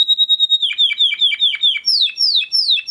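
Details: A 2020-bred Huppe Spanish Timbrado canary from a flock sings a training song: a steady high whistle gives way to crisp, evenly repeated downslurred notes, about five per second, stepping slightly higher near the end.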